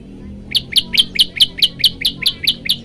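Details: Olive-backed tailorbird song used to set other birds singing: a bright, loud, high chirped note repeated evenly about four times a second, each note a quick double chip, over faint low hum.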